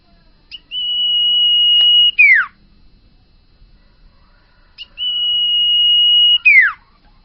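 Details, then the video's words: Common iora, a young bakalan bird singing actively: two phrases, each a long, steady, high whistle held about one and a half seconds, then a quick sharply falling slurred note. Clean recording with no other sounds. "burung sirtu bakalan gacor owor-owor"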